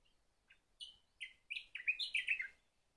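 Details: Sakhalin grasshopper warbler giving a single song phrase. Sparse soft notes build into a quick sequence of loud, downslurred whistles, closing with a lower falling note. No other sounds are heard.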